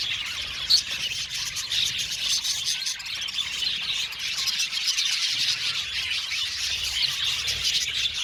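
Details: Many budgerigars chirping in an aviary: steady, thick high twitter with a sharp squeak near the start and an even, unbroken chorus of chatter afterwards.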